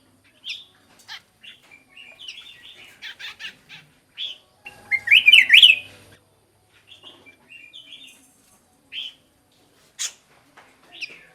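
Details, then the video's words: Black-crested bulbul singing, offered as a bird-calling decoy: scattered short chirps and whistled notes, then a loud, bubbling, up-and-down warbled phrase mid-way, followed by more sparse, bright single notes. "เสียงนกปรอดเหลืองหัวจุก Black crested bulbul Sound"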